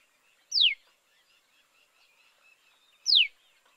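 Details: Eleven-day-old common tailorbird chicks, on their first day out of a nest in a potted hibiscus in a Kolkata garden, give faint, thin chirps under two sharp, high notes slurring steeply downward, about two and a half seconds apart.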